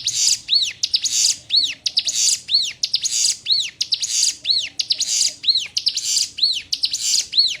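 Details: Song variant of the Sunda warbler (ciblek gunung), recorded as tutor material for newly caught birds: a loop of scratchy buzzes followed by clear arched whistles, repeated about once a second for nearly eight seconds.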